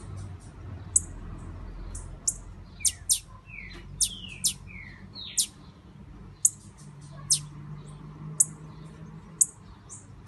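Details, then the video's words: Female blue-black grassquit said to be ready to breed, calling to excite the male: thin, very high sharp chips about once a second, mixed with short descending whistled slides, over a quiet low hum. "FÊMEA DE TIZIU MUITO PRONTA, ESSA VAI DEIXAR SEU TIZIU DOIDO."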